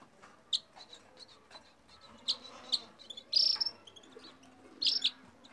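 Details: Red crossbill song of scattered, sharp, high chip notes, with a louder buzzy burst midway and a doubled note near the end, separated by quiet gaps.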